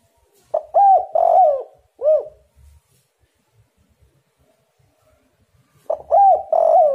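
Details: Spotted dove calling as a lure meant to make rival doves answer at once: soft, throaty cooing phrases of rolling and falling notes, a quiet pause of several seconds, then the cooing phrase resumes.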